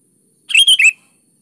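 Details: Vigorous sooty-headed bulbul song: a single short, lively phrase of three rapid, warbled notes, each slurring up and down, then silence.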